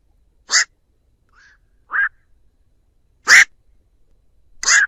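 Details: Black-crowned night heron calling its flock, a recording used as a trapping lure: four loud, harsh, croaking squawks at uneven intervals, with one faint shorter note between, over a clean, quiet background.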